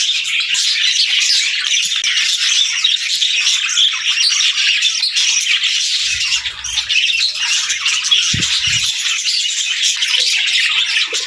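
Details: Cheerful morning noise from pet parakeets with lovebirds: constant overlapping chirps and scratchy squawks, a slight dip in volume just past halfway, and a few soft low knocks.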